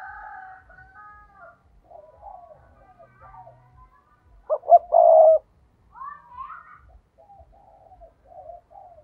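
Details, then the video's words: Decoy spotted dove, used to draw in wild rivals, making soft murmured coos and then one loud phrase of two quick notes and a long sustained coo. Gentle wavering coos follow. "Chim cu gáy mồi chuẩn thúc kích bổi nhanh nổi hiệu quả ll Chim cu mồi"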